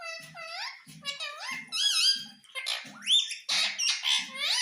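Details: Talking Indian ringneck parakeet kept at home in India, said to say mummy and papa, chattering in fast speech-like squawky syllables over a steady low thumping repeated about every half second.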